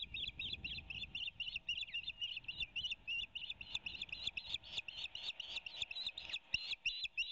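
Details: At an osprey nest in Savannah, Georgia, on 20 March 2019, as the male delivers a headless fish to his mate for lunch, an osprey gives a steady stream of high, sharp whistled chirps, about four a second, over faint wind rumble.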